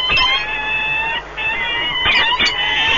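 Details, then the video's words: Long, steady, nasal wail from peregrine falcons bonding at the nest at Orlen Płock, Poland, on 1 March 2019, held evenly, briefly broken, then resumed with a sharper overlapping squeal. "Sokoły wędrowne Orlen Płock (PL) - 2019.03.01 - Długie spotkanie, wiązania"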